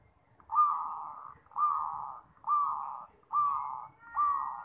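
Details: Champion perkutut (zebra dove) song meant for training young birds: five strong, held cooing phrases, each with a bright opening accent, spaced roughly one second apart in a clean, quiet setting.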